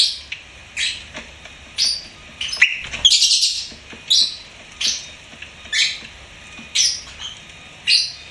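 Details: Pet lovebird chirping and singing: a steady series of shrill, scratchy high chirps, roughly one every second, with a denser rasping burst near the middle, over a quiet low hum.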